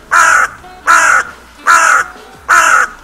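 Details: Crow calling at the Steinrevier feeding site on 6 January: four loud, harsh caws in an even series, roughly one every 0.8 seconds, each grating and drawn out.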